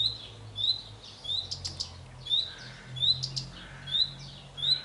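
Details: A male common redstart singing from a pear tree gives short, high, thin upslurred notes about every second, with a few sharper clicks between them over a faint low rumble.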